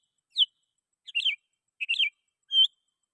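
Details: Sooty-headed bulbul calling to rivals, used as a lure for wild bulbuls: four short high phrases, a sharp note, two liquid warbled phrases and a final level whistle, with silence between.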